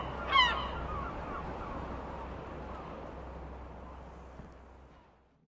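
A single short, harsh gull cry near the start, over steady rushing surf or wind and a low hum that fade toward the end.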